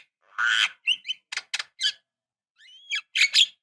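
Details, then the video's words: Javan myna sound meant to prompt young birds to sing: a long harsh squawk, then short grating and whistled notes, ending in loud rasping calls. "Suara Khas Jalak Kebo Untuk Pancingan Jalak Kebo Obyokan / Pancingan Jalak Kebo Muda Cepat Gacor"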